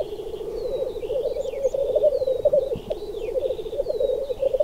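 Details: Black grouse males in display, their low gurgling, bubbling coo running on without a break, with a few thin whistled slurs and short upward-swept notes above.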